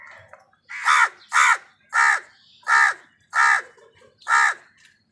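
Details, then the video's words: Crow calling while wild birds fight with crows for food: six loud, harsh, nasal caws in a steady series, roughly one every 0.7 seconds, each a short rasping burst; faint bird calls in the background. "Wild birds fight with crows for food | কাকের ডাক Crow Sound Crows fight with birds for food"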